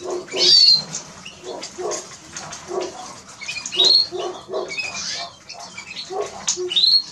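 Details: Eurasian siskin producing scattered high downslurred whistles and twitters over a background of lower chattering notes from other small birds.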